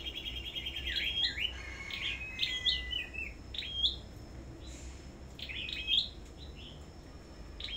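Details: At a bird farm singing contest, a Sâu đầu đỏ songbird gives busy high whistled phrases, stepped notes rising and falling in quick succession, then sparser bright chirps later, over faint low hum.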